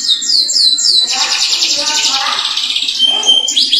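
A canary sings a fast, unbroken song: high falling whistles give way to rolling trills and buzzy, chattering phrases, with faint background noise.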